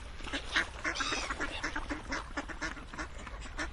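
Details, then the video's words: Ducks chatter in a packed chorus of brief, nasal, buzzy quacks fired off rapidly and overlapping, with one drawn-out call standing out early on. "Quacking Duck sounds"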